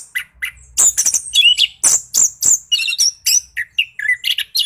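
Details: Orange-headed thrush, 'ngeroll' song meant to provoke reluctant thrushes: two soft notes open, then a loud, quick chain of high chirps, buzzes and lower whistled notes, roughly three per second.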